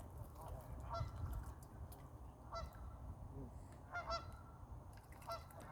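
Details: Fighting ducks let out short nasal honks, each a brief harsh blast, spaced about a second apart against a constant low background rumble.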